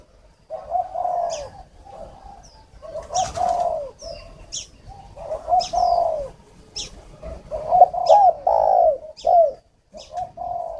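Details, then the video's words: Spotted dove used as a decoy for luring, recorded in Ba Vì, Hanoi, northern Vietnam. Coo phrases of short hoots and longer rolling notes repeat steadily, with frequent high, thin chirps from small birds scattered throughout. "File Chim cu mồi"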